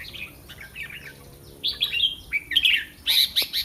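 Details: Red-whiskered bulbul kept as a caged competition songbird in Thailand, recorded before a contest: faint chatter at first, then bright, warbled, rising-and-falling phrases in quick bursts that grow louder toward the end.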